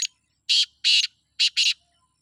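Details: Loud, close black francolin from Sindh: a clipped grating note, two long rasping notes, then a quick pair of harsh notes, all buzzy and broad-toned.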